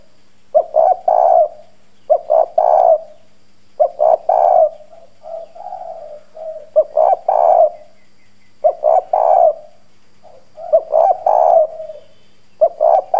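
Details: Decoy spotted dove in the hoarse country-voice style, cooing hard to provoke wild doves: repeated three-note phrases, a clipped note then two full, husky coos, with softer gurgling coos between phrases and a low hum behind.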